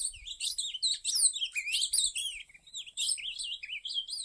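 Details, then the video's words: Azulão, or ultramarine grosbeak, tied to Cariri, pouring out rapid looping whistled slurs in tight bursts, a short break near the middle, then more rising-and-falling warbles; faint low thumps early on. "Azulão 🌵 Cariri"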